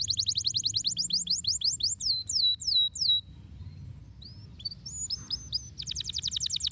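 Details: Canary with a stimulating song to encourage silent canaries: quick repeated high trill notes, then slower, stretched swooping whistles, a brief pause with a few thin rising notes, ending in a rapid, buzzy rolling trill.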